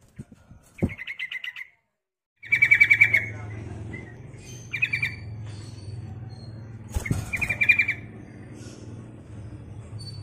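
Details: Yellow-vented bulbul, described as a female calling a male and used as a lure call, giving short bubbling, chattering phrases of rapid mid-high notes in four bursts a couple of seconds apart, over a low steady hum.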